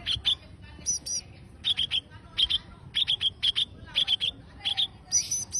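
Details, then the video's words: A konin songbird singing actively in a lively chattering burst: short, sharp, high chirps in quick clusters, repeated about twice a second over a faint low hum. "#burung #konin #gacor"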